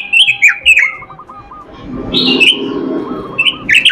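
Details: Robin's melodious, imitation-filled song: shrill twisting warbles, a few lower slurred notes, then a sustained high whistled phrase and more rapid chatter, with a faint murmur beneath.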